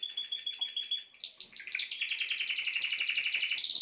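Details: Spanish timbrado canary song: a steady high whistled roll that breaks into loud, rapid, rising trills that grow stronger toward the end.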